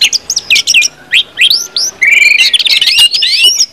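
Orange-headed thrush singing a rapid, varied run of high whistles, slurred upsweeps and chattering trills, delivered without pause in a dense, energetic stream.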